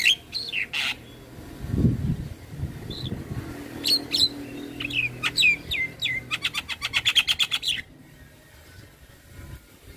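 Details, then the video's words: Energetic Javan myna training song: slurred whistles and squeaks with low rumbling in the background, building into a fast rattling burst of clicks before falling silent. "Masteran Jalak Kebo Gacor Full isian - Semua Jalak Langsung Buka Suara"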